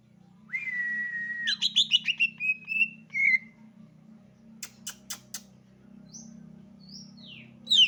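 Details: Javan leafbird song opening with a long steady whistle, then a quick series of bright chirped notes and slurred whistles, followed by sharp clicks and a few thin downslurred notes over a low background hum.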